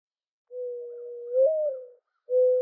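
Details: A mourning dove coos in a low, mellow tone, holding a long even note that bends upward and fades, then starting another steady coo.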